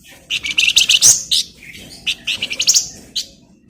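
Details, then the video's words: Flamboyan bird singing energetically, used for training magpie-robins: quick runs of high, sharp chirps and clicks in two dense phrases separated by a brief pause. "Flamboyan Gacor Bagus'Buat Masteran Burung Murai"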